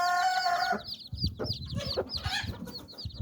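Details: Hen brooding nine chicks under her wings: a brief drawn-out tonal note opens, then soft low clucks mix with the bright, rapid peeps of the chicks.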